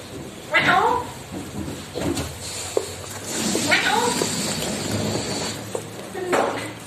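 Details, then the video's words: A talking ringneck parrot speaks in three short, voice-like phrases a couple of seconds apart, with scattered clicks and faint indoor room noise between them. "talking Parrot 3 original Voice of Parrot with out music"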